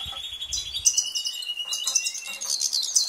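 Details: Loud, rapid goldfinch twittering with crisp high chips, buzzy rattles and a sustained thin whistle running through, after brief low rumbling at the start.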